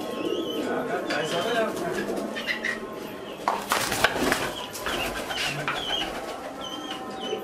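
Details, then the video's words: A flock of fancy domestic pigeons gives low, rolling, overlapping coos, with scattered higher chirps from other small birds and occasional sharp clattering and wing-flap noises. "Pigeons Sound"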